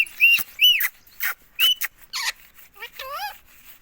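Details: Talking pet ring-neck parrot in India, repeating "mummy" nonstop: three loud high chirps and short rasping bursts, followed by a quick mimicked word with wavering, speech-like tones.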